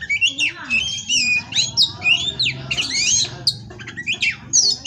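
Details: Captive male Oriental magpie-robin from an Indonesian breeder delivering loud, varied high song of scratchy notes, sweeping whistles and harsh squawks in quick succession, over a low background rumble.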